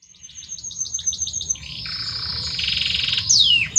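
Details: Male Belgian canary singing to his female: a fast series of high repeated notes gives way to a dense buzzy roll, then quick descending whistled sweeps.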